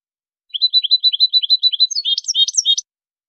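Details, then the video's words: European goldfinch singing, recorded in high quality as a training tutor. A steady chain of quick high chirps speeds into a brighter, jangling flourish of mixed higher notes at the end. No other sounds. "أجمل تغريد لتلقين#الحسون"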